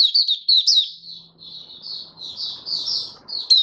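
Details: Male white-eye, known locally as Mata Puteh, giving its opening song, dated 08012022: sweet, high, warbling twitters that start loud, soften in the middle, then rise again at the end.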